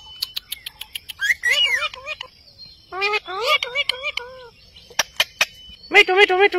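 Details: Indian ringneck parrot talking to itself in a mirror, repeating a short word in hoarse, voice-like phrases with wavering pitch, three or four bursts separated by pauses, with sharp clicks between them.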